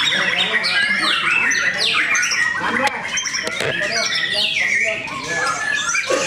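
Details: Contest-singing white-rumped shamas at Cikeas, Indonesia, deliver dense overlapping songs of swooping, downslurred whistles and harsh chatters, several birds at once, with a busy event crowd in the background.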